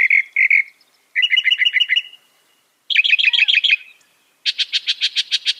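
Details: Northern mockingbird song in four separated bursts: two slurred whistles, a rapid chattering trill, a stuttering doubled series, and finally a fast, evenly repeated buzzy rattle of about eight notes.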